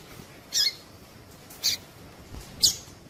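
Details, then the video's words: Three short, high squeaky chirps roughly one second apart from a female Double-collared seedeater, whose call is used to stimulate males to sing; faint background hiss. "Piado de fêmea coleiro tui tui"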